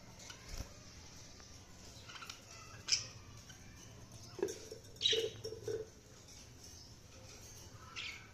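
Budgerigar giving a few short, scratchy chirps in scattered bursts, some high and squeaky, some lower and nasal, with quiet pauses between them.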